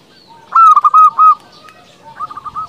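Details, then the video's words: Zebra dove of a local line, singing as a lure so rival doves answer: four strong, rounded coos in quick succession, then a fainter, rippling series of notes. "Perkutut lokal gacor paling ampuh untuk pancingan belum satu menit bikin lawan sudah pada nyaut"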